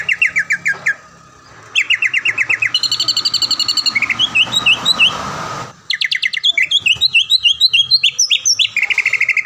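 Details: Greater green leafbird in a cage, frequent prize winner in Palembang, sings quick trilled bursts, chattering buzzy passages and looping whistled notes, with a faint background hiss.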